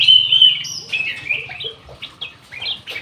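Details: Ruby-throated bulbul kept in an aviary, singing energetically: a long clear whistled note, then a quick run of short bright whistled and slurred phrases, some rising, in a lively, irregular stream with little background noise.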